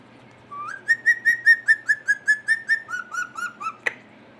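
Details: Pet ringneck parrot sitting on a computer, giving a series of about fourteen clear whistled notes, each with a short upslur, evenly spaced at about seven per second, dropping slightly in pitch toward the end, followed by a click.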